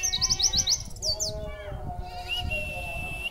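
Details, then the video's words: White-eye kept in a cage and fed extra food before singing. A rapid run of high chipping notes is followed by a long, steady, level whistle. Low rumble underneath. "pleci materi wit,wit"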